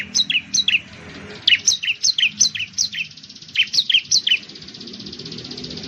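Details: Bar-winged prinia (ciblek) of Indonesia singing a loud series of sharp descending high notes in quick pairs, about a dozen notes, over a faint steady hiss.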